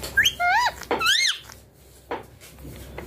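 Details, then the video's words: Young green Indian ringneck parakeet indoors during cold winter weather, giving several clear whistled, wavering calls that rise and fall over the first second and a half, followed by softer scattered chatter in a small room. "Ringneck green baby parrot talking in winter too much cold weather"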